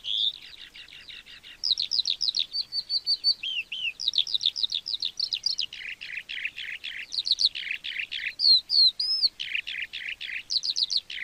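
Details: Lark singing in farmland, a song used to mark territory and attract a mate: long run of quick repeated chirps, a short level trill, then series of descending slurred notes and high whistles.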